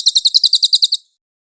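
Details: Clear cililin white-eye song used as a tutor for cage birds: about ten quick, high chirps in one second, evenly spaced, then stopping abruptly into silence.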